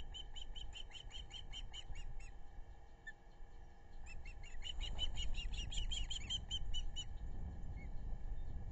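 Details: Osprey nest on the Narrow (Pettaquamscutt) River, South Kingstown, Rhode Island, July 11, 2022, four birds present including two chicks, webcam sound: rapid whistled chirps, about four a second, pause for roughly two seconds, then resume louder before stopping, with steady low hum.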